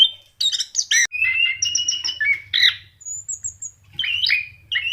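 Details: Gacor song of an orange-headed thrush meant to make kept birds sing: squawky chirps, then level whistled phrases and a thin very high trill, over a steady low hum.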